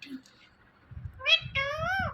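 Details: Indian ringneck parrot, one of two talking pets, makes a short harsh syllable followed by a longer nasal meow-like call with slowly rising then falling pitch.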